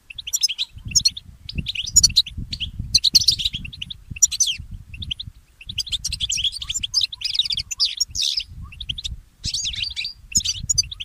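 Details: Goldfinch mule singing at dawn: a dense, continuous run of rapid high twitters and trills with few gaps, over steady low-pitched background noise.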